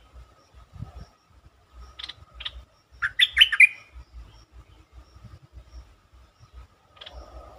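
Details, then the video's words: Bulbul song used as a lure to stir up birds: a few short chirps, then one lively tumbling phrase of clear, rising and falling whistles, and faint low knocking throughout. "เสียงนกดอกแตงEp.147 เปิดให้นกคึก เพลงดีสำนวนน่าฟัง Suara pikat merbah lekir"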